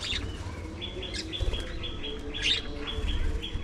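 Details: Budgerigars during afternoon feeding, several birds calling: a run of short level whistled notes repeated about twice a second, broken by scratchy chirp bursts, with a steady low rumble underneath.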